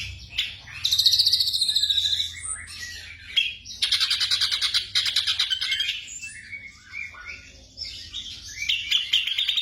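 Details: Black drongo song used as nighttime training for caged birds: bursts of loud harsh chatter and grating trills, broken by short gaps and squeaky notes, with a soft hum below.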